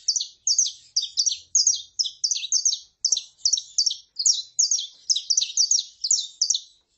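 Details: Saffron finch, a female calling and a male singing: a fast, unbroken run of bright, high chirped notes, each one dropping sharply in pitch, repeated about three times a second for the full seven seconds, in a quiet background.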